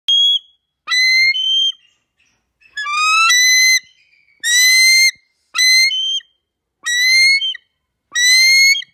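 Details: A trained adult male bald eagle used in bird-control work, recorded on August 2, 2019 in North Vancouver, British Columbia, gives seven bursts of high, thin, whistled piping, each a short rising series of squeaky notes, with brief pauses between.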